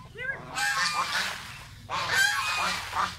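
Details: Pet domestic geese eating mango give a short nasal honk with a stepped, harmonic rise near the start. Broad rustling and feeding noise follows across the rest of the recording, with a low steady hum underneath.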